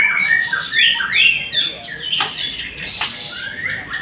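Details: White-rumped shama giving loud, ringing whistled phrases: rising and falling slurs, a few sharp downward strokes, then a rising whistle near the end.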